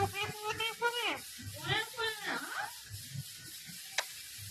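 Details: A parrot talks in a run of speech-like, harmonic phrases with rising and falling pitch over the first three seconds, then goes quiet apart from faint room noise and a single sharp click near the end.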